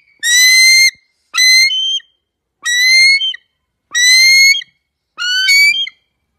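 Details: Eagle: five harsh, high, strongly harmonic screams, each under a second and fairly level in pitch, repeating about every second and a quarter with silence between.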